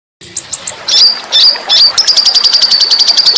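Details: Small songbird with a sharp, spicy voice, recorded as a tutor song for pet birds: a few high ticks, sustained shrill whistles, then a fast, even, high-pitched trill of rapid repeated notes.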